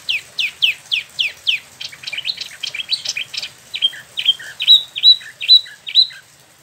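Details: Rolling ngeroll song from a caged spot-throated babbler in Bandung, Indonesia, imported from China and Vietnam: steeply dropping whistled notes in quick succession, a jumbled stretch of chips, then paired clear whistles repeated about twice a second.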